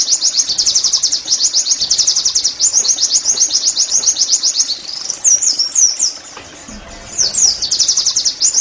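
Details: Oriental white-eye (pleci) 'nembak' song, played to encourage caged birds to sing: long, high, rapid chatter of upswept chirps, broken by looping slurred notes and a short quieter gap before the fast chirping returns.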